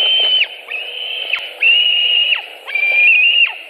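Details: White-tailed eagles at their Latvian nest, 26 July 2018, with an adult bringing a bird as prey: four long, level, piercing whistles, each finishing in an abrupt falling flick, closely spaced.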